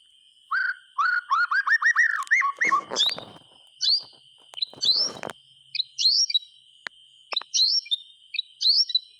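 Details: White-rumped shama singing in a lively way to coax silent shamas into song: a fast run of clear rising whistles, then varied scratchy bursts and short high sweeping notes. A steady thin high tone runs throughout.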